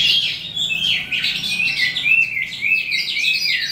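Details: Melanocorypha calandra psammochroa in full song at day's end, a dense, unbroken warble of high, wiry twitters and buzzes pouring out quickly.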